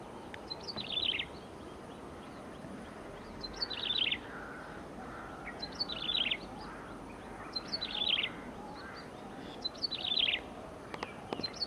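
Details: A yellow-bellied prinia in April 2019 gives a short, high, chirpy phrase falling slightly at the end, repeated five times about every two seconds over a steady low background hiss.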